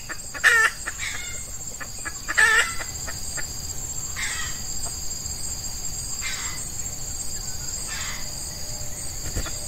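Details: Red junglefowl trapping with an F1 hen decoy to draw in an old wild cock, early morning during Ramadan in hot weather; two sharp bursts in the first seconds, then only faint calls over a constant insect drone.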